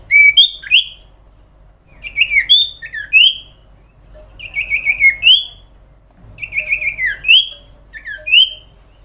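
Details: Sooty-headed bulbul singing a long, energetic song: four bursts of bright, bubbly whistled notes that twist up and down, each about a second long, separated by roughly two-second pauses.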